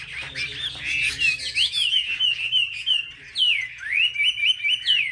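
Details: Caged Chinese hwamei in a singing contest among market birds: warbled whistles, then a sequence of distinct slurred notes rising and falling, followed by a run of quick repeated down-sweeping whistles.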